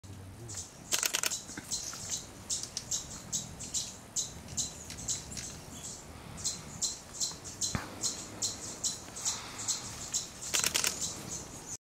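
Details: Marvelous spatuletail (Loddigesia mirabilis) at EcoAn Huembo Reserve, Peru, 21 May 2012, calls: very high, thin chips about twice a second, with a few brief rushing bursts against a soft background hiss.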